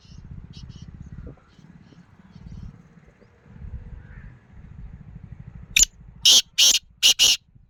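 Black francolin calling with four loud, harsh, grating notes in quick succession near the end, after a steady low rumble like a distant engine.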